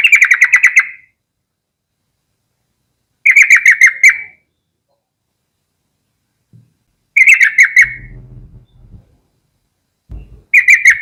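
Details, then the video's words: A yellow-vented bulbul gives short bubbling bursts of rapid chattering notes, each about a second long, repeated every three to four seconds, with a few low thumps in between. "BURUNG TRUCUKAN GACOR"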